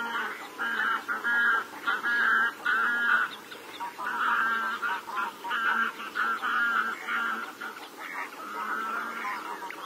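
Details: Garganey duck calling: a series of nasal, harmonic, honking calls in short runs, repeated about every second with brief pauses, over a steady background hiss.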